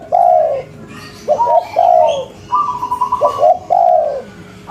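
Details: Spotted dove of a local strain, calling actively in cetrekan style said to trigger replies within five seconds: drawn, softly descending coos preceded by quick clipped notes, plus one higher steady note, repeating at a relaxed pace.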